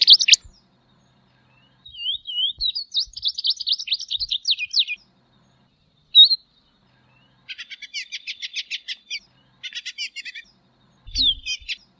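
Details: Tropeiro seedeater (Sporophila beltoni) singing: a sharp opening note, then a run of rising and falling whistled slurs, followed by bursts of fast buzzy, rattling notes, with pauses between phrases.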